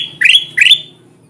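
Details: Lure call of the kutilang emas bulbul, played to attract wild birds to sticky traps: a pair of quick, bright chirps, each sweeping upward with a buzzy edge, about a third of a second apart.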